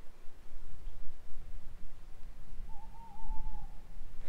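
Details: A male tawny owl, part of a chorus of males in woods on Dartmoor at night as the weather turns nasty, gives one long, steady hoot that sags slightly in pitch over a constant low rumble of wind.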